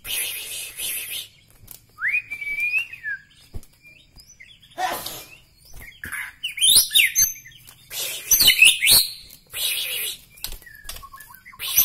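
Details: White-rumped shama from Medan, Bahorok, giving a lone slurred whistle followed by scattered sharp, scratchy notes and buzzy bursts with pauses between.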